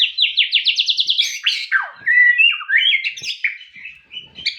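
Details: Song of a white-rumped shama: a quick run of about ten rising, repeated whistles, then varied sweeping and warbling phrases with a few soft clicks in the background.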